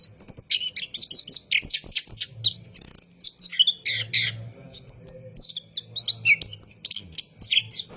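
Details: Orange-headed thrush in long rolling night song, recorded as a training lure for caged birds: dense, unbroken sequence of sharp whistled slurs, twitters and buzzy notes, with a soft low hum underneath.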